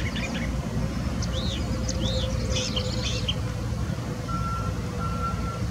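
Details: California thrasher singing at Irvine Regional Park on May 20, 2020: varied short phrases of arched, slurred whistles and chirps, with a steady mechanical hum and a reversing-beep tone in the background.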